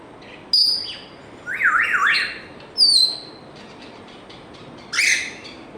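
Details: Pet African grey parrot producing a warbling whistle that swoops up and down several times, set between sharp high clicks and a noisy burst.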